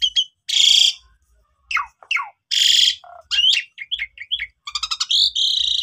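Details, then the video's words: Asian pied starling lure song for silent starlings: separated phrases of loud harsh rasps alternating with sharp downward whistled slurs, short chirps, and a closing run of rapid ticks into a buzzy trill. "Coba Gunakan Pancingan Ini ! Semua Jalak Suren Yang Lagi Pundung Macet Bunyi Seketika Langsung Emosi"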